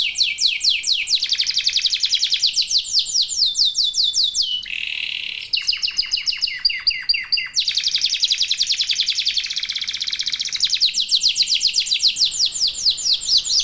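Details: Singing local domestic canary, played as a lure to spur other canaries into song, strings together high varied trills, a brief buzzy rolled tone, then quick bursts of sweeping notes.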